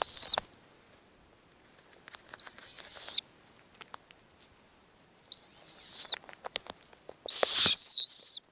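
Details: Arctic snowy owl nest holding a clutch of five eggs and recently hatched nestlings fed by the female. Four high, wavering screeches come at uneven intervals, with faint clicks between them.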